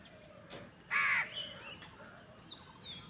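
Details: Crow fighting for food: one loud, harsh, broadband caw lasting about a third of a second, with thin high whistles from other birds afterward and faint background noise.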